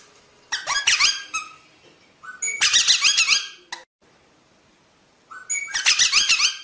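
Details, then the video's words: Rosella singing indoors in a small room: bursts of bright, high whistled notes and chattering trills in three phrases separated by short pauses. "SONG ROSELLA تغريد طائر الروزيلا الجميل"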